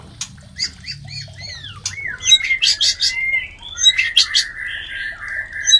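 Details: White-rumped shama mating call, used to stimulate other shamas to breed: rich whistled phrases rising and falling, then sharp clicks and a sustained buzzy trill near the end.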